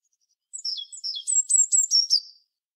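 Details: Eurasian blue tit song beginning with several lower, sliding notes and moving into a series of high sharp notes that drop slightly in pitch, ending abruptly.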